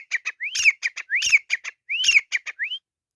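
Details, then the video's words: Grey francolin during a fight, calling loudly. Upslurred whistles alternate with pairs of short sharp notes in a fast rhythmic phrase, repeated three times before stopping. "Teetar ki ladai | Grey Francolin Fight | teetar ki awaz"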